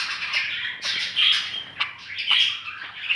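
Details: Pet budgerigar chattering in rapid squawks and scratchy warbles, with a couple of sharper whistled notes rising out of the stream and short dips in loudness between phrases.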